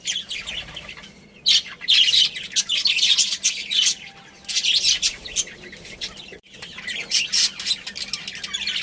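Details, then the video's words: Budgerigar breeding pair and family chirping: dense bursts of high, scratchy twittering chatter in bouts of about a second, with short quiet gaps between bouts. "Cute Budgies Chirping Sounds"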